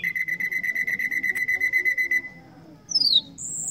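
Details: Common nightingale voice: a steady run of about fifteen quick identical whistled notes on one pitch, a short pause, then high sliding whistles, all fairly soft.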